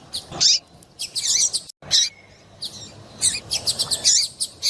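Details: Female double-collared seedeater calling, used to excite males into singing, as breeders do before singing tournaments; sharp, very high chirps come in short clusters separated by brief pauses, with a quiet background.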